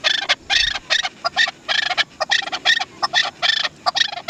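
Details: Chukar partridge, called Dasi chakor, repeating loud, harsh, chattering chukar phrases in quick clusters of two or three notes, rough and throaty in tone.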